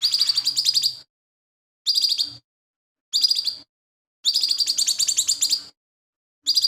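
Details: A chatty lesser green leafbird sings phrases borrowed from sparrows and other birds, used to tutor kept songbirds; long, high, rattling trills, some over a second, broken by brief silences.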